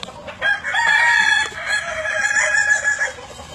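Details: Kukuak Balenggek rooster crowing in the evening: a long, loud, harmonic crow that holds steady with slight wavering pitch for about two and a half seconds, ending in a fading tail.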